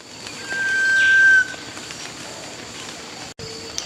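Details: Sunbittern in the wild in Costa Rica, 2018, an individual seen nest-building, preening and giving a one-wing display: one long, pure, steady whistle of about a second, swelling before stopping abruptly, over quiet outdoor background.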